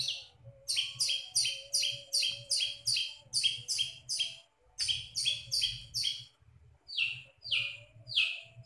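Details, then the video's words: Long-tailed shrike singing its mimicked repertoire: a rapid chain of rasping, falling notes, broken by short pauses and resuming in a looser, uneven rhythm, with a steady low hum underneath. "CENDET GACOR BONGKAR ISIAN"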